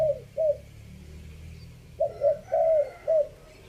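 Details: Three-kuk style spotted dove decoy cooing, fifth phrase. The tail of one phrase opens the recording, then after a pause comes a full phrase of stuttered double notes, a drawn-out rolling coo and a clipped final note.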